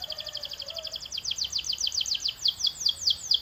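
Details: Slightly softer canary song, a rapid series of paired high chirping notes that gradually slows and grows louder toward the end, with a faint hum beneath.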